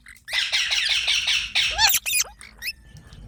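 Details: Green parrot kept in India, uttering a fast, rasping stream of chattering notes, then several sharp rising and falling screeches that end in quieter squeaks.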